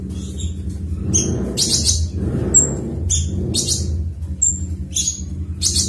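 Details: Cucak cungkok singing in the 'ngebren' style: sharp high chirps and short whistled notes in bursts about every second, over a steady low rumble.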